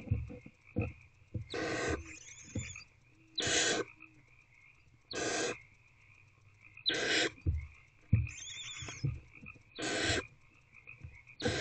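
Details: Owls in box C at 1:48 am as an older owlet swallows big prey; short, sharp hissing screeches repeated roughly every one and a half to two seconds, mixed with fainter wheezes, clicks and a constant high whine.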